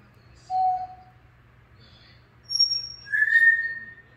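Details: Grey parrot giving a series of pure whistled notes at different pitches, one low, then higher short tones, ending in a longer steady mid-pitched whistle, against a faint low hum.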